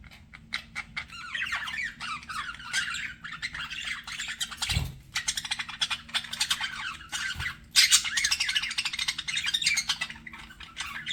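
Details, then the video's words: Budgerigars flirting, softer chattering chirps building to louder squawky warbling in the second half, one dull knock midway. "BUDGIES FLIRTING"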